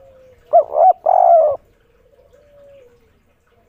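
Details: Excited spotted dove calling from a roof in the "kuk 3" style: two short looping notes, then one drawn-out coo, in a single phrase. A faint steady tone lingers after it in a quiet background.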